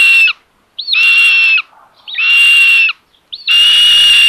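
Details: Common buzzard nest in Tiszalök, Hungary, 27 May 2022, with the mother bringing lunch to the third chick. Three long, hoarse, screechy calls, each starting with a short upward hook, come about once every second.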